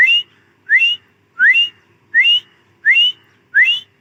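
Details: Female grey francolin giving a steady series of six rising, whistled two-part notes, each sharply upswept then levelling, repeated roughly every 0.7 seconds on a quiet background.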